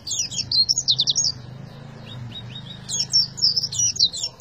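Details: Oriental white-eye singing in the tembakan style: bursts of high, quick chirping twitters, a quieter stretch of softer notes in the middle, then another lively burst, over a low steady hum.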